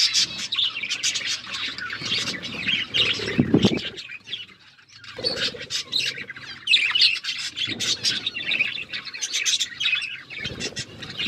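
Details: A group of budgerigars chatters while eating seeds: overlapping high twittering and squeaky warbles throughout, broken by brief rustling, knocking sounds and a short lull near the middle.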